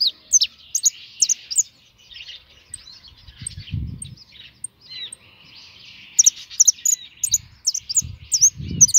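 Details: European goldfinch singing: bursts of liquid, high twittering notes and quick slurred chirps, broken by a quieter scratchy stretch, with a few soft low thumps in the background.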